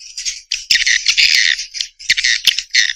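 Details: Swiftlet calls come as choppy, rattling chirp bursts broken by sharp clicks and brief pauses, each burst lasting about half a second.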